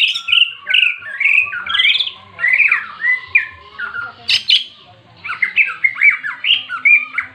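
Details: Caged greater green leafbird giving fighting song to rouse other birds of its kind: loud varied slurred whistles and chatters in rapid phrases, a short sharp burst midway, then continued rising and falling warbles.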